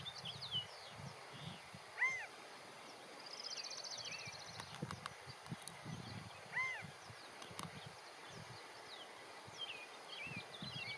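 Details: California quail on a fence, a male calling to the rest of his group: two loud arched, slurred notes about four and a half seconds apart, with a high trill, scattered chirps from other birds and low rumbling noise.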